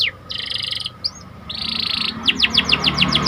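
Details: Panda canary, symmetrical type, in constant song meant to stimulate other canaries. Two buzzy trills with a brief slurred note between, then a fast series of sharp downslurred notes, all over a noticeable low hum and hiss.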